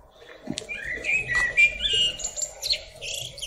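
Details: Singing blackbird atop a tree delivers a short fluty phrase of clear whistled notes, then a squeaky, twittering high tail, with a sharp click near the start and a steady low murmur behind.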